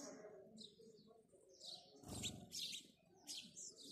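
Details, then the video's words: House sparrow chirping in the morning: scattered short, bright chirps in bursts around the middle and end, over a low humming murmur like cooing, with a brief dull thump midway. "house sparrow chirping"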